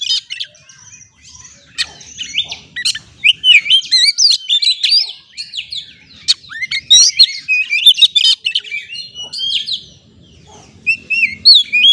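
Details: Oriental magpie-robin (kacer) song used as a lure to set stressed caged birds singing: rapid, varied whistles, sharp chips and rising and falling slurred notes, delivered in dense bursts with short pauses, bright and high-pitched throughout.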